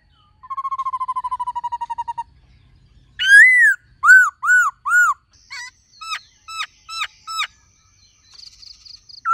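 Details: Laughingthrush singing many voices alongside a calling female: a steady rapid rattle of about twenty even notes, then loud arched whistles and a series of short upward-flicked notes with pauses between.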